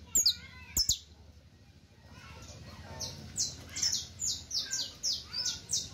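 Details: Saffron finch song for teaching: two sharp notes open, a quiet stretch follows, then a regular series of high, ringing chips repeated about twice a second.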